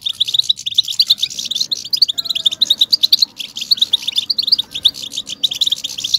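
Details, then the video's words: Batbata twittering of a European goldfinch, meant to excite males into singing; quick bright chirps packed tightly together in a continuous tinkling stream, with faint hum beneath. "بتبتة الحسون صوت وصورة, بتبتة الاقوى لتحفيز الحسون بشكل مجنون"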